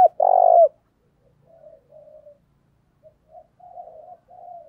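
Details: A spotted dove lure call intended to provoke other males: a loud, rich cooing purr opens the recording, followed by a series of faint, distant, softer coos that trail off over several seconds.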